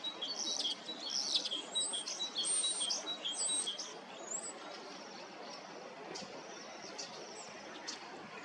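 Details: Bohemian waxwings in Hrodna city, western Belarus, on 18 March 2026 in spring, believed to be lekking, give high thin buzzy trills, several birds overlapping about four seconds, then scattered calls over soft outdoor hiss.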